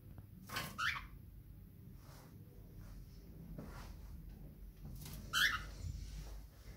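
A cockatiel gives two brief, shrill, slightly rising calls several seconds apart against a quiet indoor background.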